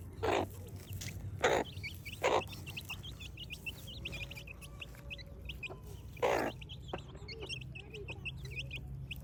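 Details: Morning in a village with chicks and chickens: busy high-pitched peeping from many chicks, interrupted by several loud, short, harsh bursts, over a faint low hum.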